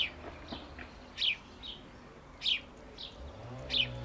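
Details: A male house sparrow chirps steadily, its short, bright, downslurred notes repeating roughly every 1.2 seconds, about four in all. Faint softer chirps fill the gaps over a quiet background.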